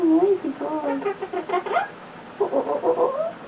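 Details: Pet male eclectus parrot lying on its owner indoors, making lots of soft noises: a run of warbling, tonal chirps and murmurs with varied pitch, in two bursts separated by a short pause.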